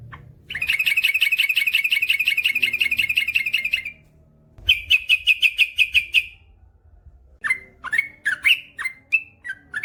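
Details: Yellow-vented bulbul (trucukan) in long rapid-roll song (ropel panjang): a sustained fast buzzy trill of over three seconds, a shorter rapid chirp series, then varied bubbly swooping notes.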